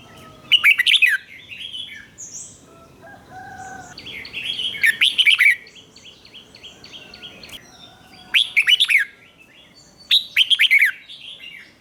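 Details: A caged red-whiskered bulbul sings a 'rik' style doubled song for young birds to copy, repeating short bubbling phrases four times, roughly every three seconds, with softer whistles from other birds between them.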